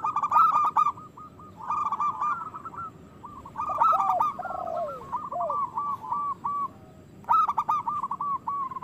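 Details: A chorus of local zebra doves, kept to coax other doves into song and breeding: rapid bubbling coo phrases come in irregular bursts, about 17 a minute, mixed with lower sliding notes and faint high ticks.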